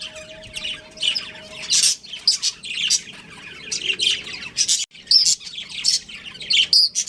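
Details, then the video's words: Budgerigars, a breeding pair kept as pets, giving busy high-pitched chirping and warbling chatter; a faint low steady tone at the start, then sharper squeaks toward the end. "Cute Budgies Chirping Sounds | Budgies Breeding Pair"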